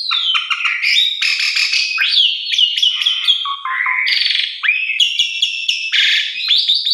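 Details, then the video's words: Jalak suren, the Asian pied starling, in a lure song meant to get other starlings singing: dense mix of rising whistles, harsh buzzy bursts and downward-sliding notes, delivered almost without gaps. "Putar Tiap Pagi Pancingan Luar Biasa - Semua Jalak Suren Macet Pundung Atau Stres Langsung Gacor"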